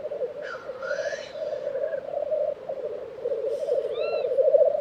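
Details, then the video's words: Steady rolling bubbling from black grouse at an April 2023 lek in Tiveden, Sweden, broken by harsh hissing sweeps. A short high chirp comes near the end. "Black Grouse Lek - sound recording"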